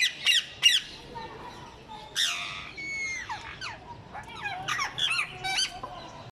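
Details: Ring-necked parrots, called mitthu popat, uttering two loud shrill screeches at the start, then softer, varied chattering, whistled slurs and squeaky notes.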